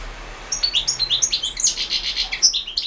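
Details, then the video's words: A goldfinch's 2016 World Championship in Goldfinch Song entry, recorded for an internet contest: a continuous, lively stream of high twittering, liquid chirps and buzzy trilled phrases, notes tumbling quickly one after another. "World championship in Goldfinch Song"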